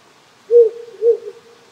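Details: Two evenly pitched low hoots about half a second apart from a wild owl in rural Japan at night, low temperature keeping insects and frogs quiet; a small stream hisses faintly throughout.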